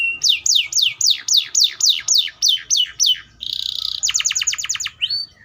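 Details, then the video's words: Atlantic canary delivering a tour of about ten steep downward-sweeping notes, a sustained buzzy trill, a very fast burst of clipped notes, and a final rising slur. "THE SOUND OF THE CANARIA SERINUS ORIGINAL SOUND LIKE IN THE WILD"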